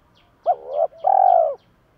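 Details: Spotted dove decoy calling for training and to stir up wild birds. A sharp rising onset dips into a wavering note, then a sustained, buzzy, level coo follows after a brief gap. Faint periodic high chirps sound behind.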